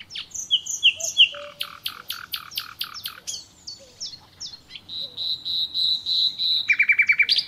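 A common nightingale sings varied phrases: clear whistles, a run of hard clicking notes, a fast high trill, and a closing burst of rapid harsh notes.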